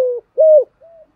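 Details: Caged decoy spotted dove calling to provoke wild males: a soft coo, a loud, drawn-out level coo, then a faint short coo.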